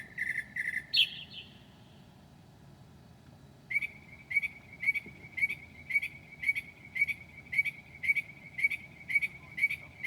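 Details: A northern mockingbird sings at 2 a.m., 7/9/2008, while imitating other birds. After a few scratchy chirps and a pause, it repeats one clear, sharp note about every half second for six seconds.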